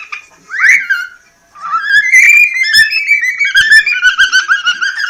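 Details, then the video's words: Cockatiel, a Polish pet entered in a talking-bird contest, serenading its beloved. A rising whistled swoop opens, followed by a continuous run of wavering, stepped whistled notes in a quiet room. "Kuba śpiewa swojej ukochanej"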